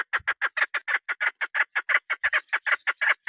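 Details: Female chukar partridge used by hunters, giving a steady, fast run of harsh clucking chuk notes, roughly five per second and evenly loud throughout, with a faint low knock or two.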